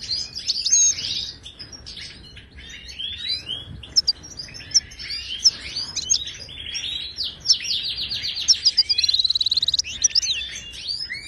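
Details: Wild Moroccan goldfinch singing in the Ouidani manner, used to coach caged birds. Long flowing twitter of chirps and swooping notes, ending in an extended buzzy trill of evenly spaced pulses.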